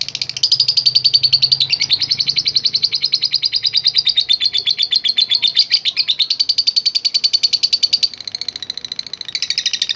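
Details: Lovebird giving long ngekek chatter to provoke other lovebirds: a clean, very fast rattle of high, shrill pulses that runs almost without pause, with a soft low hum beneath.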